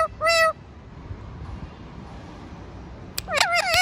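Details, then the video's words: A pet talking parrot at home gives a loud harmonic squawk near the start, then after a quiet pause a burst of several wavering, warbled calls at the end. "Talking Parrot | Funny Parrot | Dancing Parrot"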